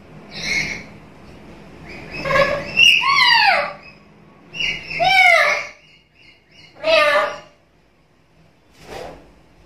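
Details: Talkative black-capped lory, used to stimulate and tutor other birds, delivering a loose series of varied shrill, downward-curving squawks and short notes at irregular intervals over a faint indoor background hum.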